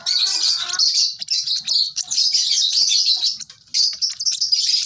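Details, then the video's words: Baby lovebird chirping: dense, harsh, high chatter runs almost nonstop, with short breaks near the one-second mark and just before the fourth. "lovebird sounds baby bird - lovebird chirping sounds"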